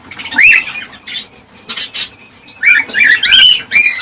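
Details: Cockatiels calling to encourage mating and breeding: loud upswept whistled notes with bright overtones, separated by short rasping bursts and a quiet gap mid-clip, then a rapid run of rising whistles.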